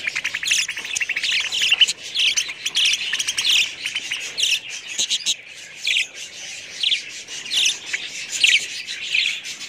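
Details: Budgerigars chattering in a high register: busy warbles, quick chirps and scratchy notes that come and go in uneven bursts.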